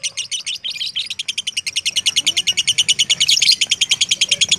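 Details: Lovebird of fighter type starting with uneven chirps that settle into a fast, regular series of shrill clicks, growing louder toward the end.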